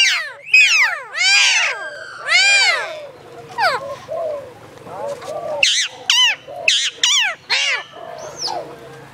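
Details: A hill myna kept at Phnom Tamao Zoo in Cambodia, able to talk, utters arched, ringing calls in separate bursts, then a quicker series of sharp, clipped notes. Faint low hum runs underneath.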